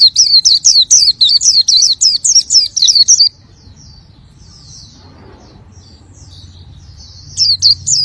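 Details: Rapid, high-pitched twittering from an Oriental white-eye (pleci) in gacor song for about three seconds, then near silence with faint distant chirps before the bright, looping warble returns at the end over a low steady hum.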